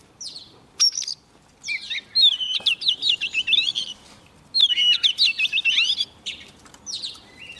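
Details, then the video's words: Young Oriental magpie-robin singing vigorously when a wild bird comes close: two long rapid phrases of rolling, warbled whistles and trills, introduced by sweet high notes, with a clear whistle between and after. "Choè than non lên hót cực sung khi bổi đến gần"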